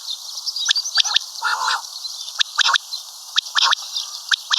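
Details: Common quail call, locally batair; crisp clicking notes in twos and threes roughly every second, broken by one harsh broad burst, over steady high hiss.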